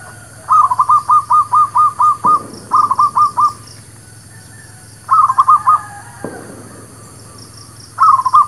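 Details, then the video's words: Zebra dove, local dove lure sound for trapping and for new birds: rapid stuttering series of short cooing notes, one long run of about eight then shorter bursts of three to four, with a couple of faint thuds between. "SUARA PANCINGAN MERBUK KAMPUNG / PERKUTUT LOKAL...UNTUK PIKAT DAN BURUNG BARU"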